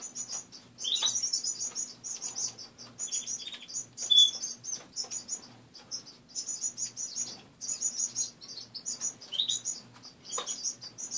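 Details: Caged pet finches call in the morning: dense bursts of thin, high chirps and twitters from several birds, with occasional short rising whistles and a soft indoor hum underneath.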